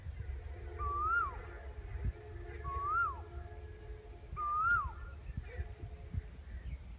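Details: Asian koel song heard while walking along a railway track: three loud whistled notes, each sliding upward then falling sharply, repeated roughly every one and a half seconds, with a low rumbling background and faint distant sounds.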